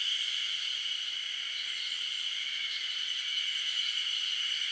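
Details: Black woodpecker chicks in a forest nest cavity, waiting near the entrance to be fed and perhaps close to fledging, keep up a steady, high, buzzy, unbroken hissing chorus of begging calls; recorded 8 June 2023.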